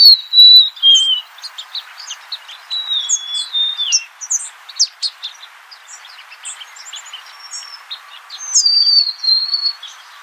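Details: Golden-crowned sparrow singing plaintive whistled phrases that slide downward in steps, repeated several times, over a steady background of chirping from other small birds.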